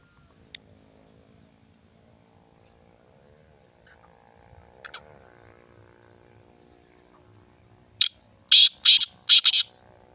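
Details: Black francolin (Sindhi teetar) after several seconds of near silence with faint clicks, then a sudden phrase of four loud, harsh, buzzy notes near the end.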